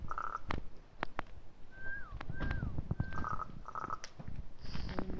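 A raven gives odd, short whistled notes, some bending downward, mixed with sharp wooden knocks and clicks over a low background rumble.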